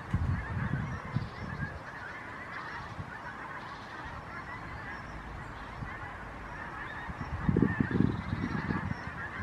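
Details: Pink-footed geese flying in a skein: a steady mass of overlapping honks and yelps throughout, with louder low bursts at the start and near the end.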